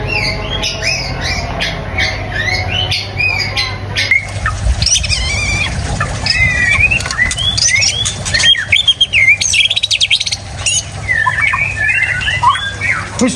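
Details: White-rumped shama song. A rapid string of sharp notes comes first, then a long jumble of whistles, chatter and clicks, with wing-flutter-like rustles and a low hum.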